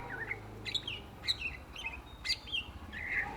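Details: Greater green leafbird, known in Indonesia as cucak ijo, singing energetically: varied short whistled and chirpy notes with quick slurred phrases, bursts spaced about half a second apart, over a faint low hum.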